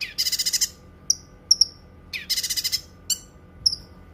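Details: Cucak kinoi song with two rapid rattling bursts of high chirped notes, each lasting about half a second, separated by single clipped whistles and slurred downward notes; no other sounds intrude.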